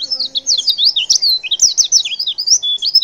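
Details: Female white-eye calling to draw a quick response from males: a fast, unbroken run of high, thin twittering chirps, sliding notes tumbling up and down, busy and continuous throughout with no pauses.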